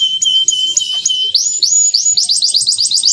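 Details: Tutor song from a clear-voiced male canary for young birds learning to sing. A level piping whistle with brief breaks gives way to quick upswept chirps that speed into a rapid rising roll.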